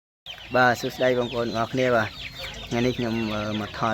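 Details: Hand-raised tame caged waterhen kept as a decoy bird, calling at its owner's hand. Loud, clear calls come as a series of deep, harmonic clucking notes, each short and repeated at uneven intervals.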